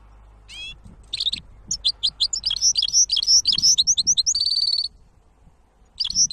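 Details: Hybrid goldfinch song: after one descending note, a lively stream of high twittering chirps and slurred whistles builds, ending in a buzzy sustained trill, with one more phrase starting near the end.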